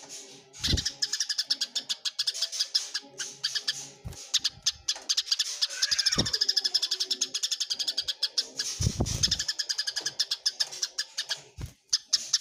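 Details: A long bout of Eurasian tree sparrow fighting: a relentless, fast stream of shrill chirps with a few swelling, louder passages and scattered low thumps, clearly captured for tutoring other birds.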